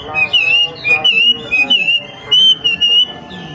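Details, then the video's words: Wild young wambi whistling clear, pure notes in short level phrases with slight wavers, about seven phrases in under four seconds, separated by brief gaps. "KICAU WAMBIE MUDA HUTAN 🔥🔥🔥 BIKIN WAMBI LAIN IKUT BUNYI"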